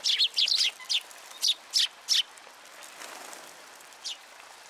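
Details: A flock of sparrows comes to a feeding platform at a Tenmangu shrine, 16 February 2023. Seven quick bright chirps in the first two seconds, then near quiet with one last chirp.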